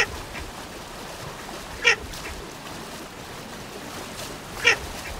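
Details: Baer's pochard (Aythya baer) giving two short, harsh, nasal calls about three seconds apart, each a brief buzzy burst rich in overtones, over a steady low background hiss.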